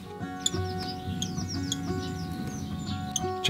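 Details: Young male common kestrel gives a run of high, thin, downslurred 'kee' notes, about a dozen in three seconds, calling before dawn as he comes in to a sycamore stump nest with a new female, in May 2023; soft background music.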